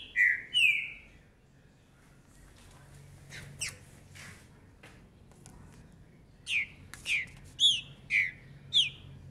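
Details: Green-winged saltator, a young bird of 2019, sings with 'fibra e velocidade': two loud, slurred whistles at the start, a quiet stretch with faint clicks, then a run of five clear, downslurred whistled notes about half a second apart.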